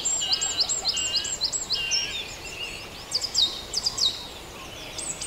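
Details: Early-morning bird chorus at Farndale: a fast run of high, evenly repeated notes opens, then varied twitters and chirps from several birds. Sharp high chips rise out of the mix later on, over a steady background hiss.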